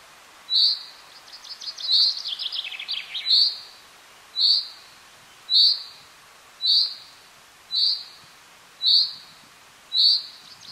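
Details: A common chaffinch (Fringilla c. coelebs) in the Alpilles, France, in May 2018 gives a bright, metallic 'pink' note about once a second, with a quick descending trilled phrase near the start.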